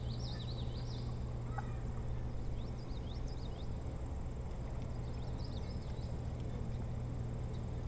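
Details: Osprey at the boat house nest on Hog Island near Bremen, Maine, 25 July 2018 around 9–10 am, giving three bursts of high, thin, whistled chirps in quick series, spaced a couple of seconds apart, over a steady low hum.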